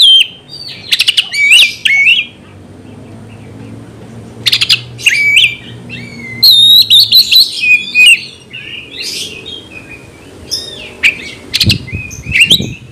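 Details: Provocative gacor song of an Oriental magpie-robin, aimed at making other birds fight: bursts of whistles and harsh rattling clicks separated by short pauses, a fast run of chattering notes mid-clip, faint low hum beneath.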